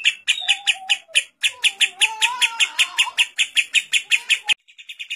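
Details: Lovebird ngekek filled with kapas tembak phrases, for training other lovebirds: shrill repeated chatter notes with lower sliding whistled tones woven beneath, a short pause early on, then an abrupt cut before the chatter resumes softly.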